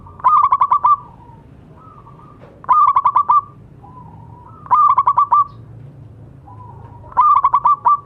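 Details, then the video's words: Local zebra dove singing as a tutor for silent doves: four rolling phrases of quick pulsed coo notes about two seconds apart, each linked by a softer descending hum. "Perkutut lokal gacor suara bagus untuk terapi yang macet bunyi."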